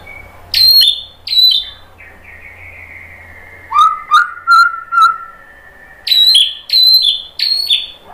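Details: Provoking song of the white-rumped shama for stirring other shamas: loud clear whistles with sharp upward flicks in repeated pairs, a long steady whistled tone between them, and a quiet background hum.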